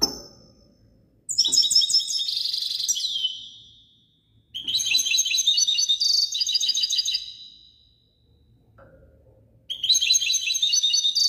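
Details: European goldfinch singing in three bright bursts of rapid, tinkling twitters, high and liquid, separated by short pauses; a faint low note sounds between the second and third bursts.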